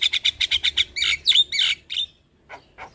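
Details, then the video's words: Javan myna provoking song for young birds: seven quick rhythmic chirps, then grating buzzy phrases with a sharp whistle, fading to two soft faint notes. "Pancingan Dan Masteran Jalak Kebo Full isian Pas Buat Jalak Kebo Muda"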